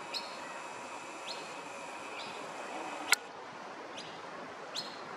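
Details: A young masked lapwing, the same chick seen three weeks earlier, at Maroochydore, Queensland, gives thin, high, upward-sliding peeps about once a second over a steady outdoor hiss, with one sharp click midway.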